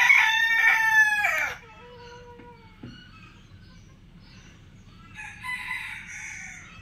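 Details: A Black Buff Orpington rooster gives a loud, harsh, drawn-out crow that breaks off sharply, followed by faint calls and a softer second crow.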